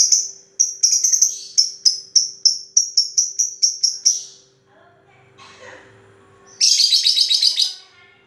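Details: Lovebird's long 'ngetik' chatter: a run of about twenty fast high ticks, a brief quiet gap with faint murmuring, then a dense buzzy burst of rapid chirps, over a low hum.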